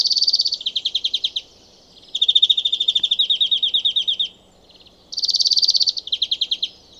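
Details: Male European greenfinch territorial song from a high perch, a rapid bright canary-like twitter: three long bursts of fast, evenly pulsed trilled notes, each roughly a second or two long, separated by short pauses.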